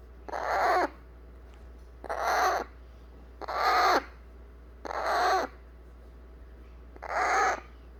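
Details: Hand-raised eclectus parrot chick demanding to be held after feeding. A run of five coarse, drawn-out squeals, each under a second, spaced about every 1.2 seconds against a low background hum.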